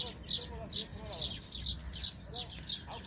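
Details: Several weaver birds at a farmhouse tree full of nests chirp in quick, irregular bursts of short high tweets over a continuous shrill insect-like hum, with some lower curved notes.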